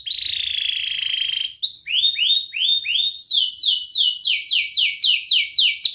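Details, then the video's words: Canary training song for young birds, Indonesian style with ngerik trills and cuit cuit notes: a steady buzzing trill, then rising swept notes and a fast run of falling whistled notes repeated several times a second. "Kenari gacor NGERIK Cuit Cuit Ngerol nembak - Pancingan kenari paud belajar bunyi"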